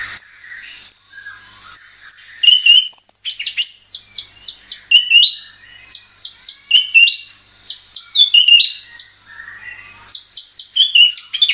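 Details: White-rumped shama (murai batu) singing in a lure recording meant to provoke other birds into song: rapid varied phrases of sharp high whistles, chips and downslurred notes in quick bursts, with brief pauses and no other sounds.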